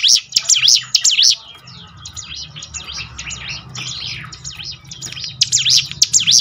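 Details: Bar-winged prinia, recorded to prompt birds to sing more often: a loud string of quick swooping chirps, a softer jumble of high twitters in the middle, and another rapid bright burst at the close.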